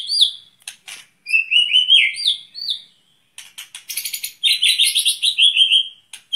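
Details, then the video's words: White-rumped shama set outside in the open to build its breathing, singing loud slurred whistled phrases that repeat, broken by sharp clicks, then a dense buzzy rattle and a run of fast descending notes. "murai di umbaran untuk melatih pernapasan"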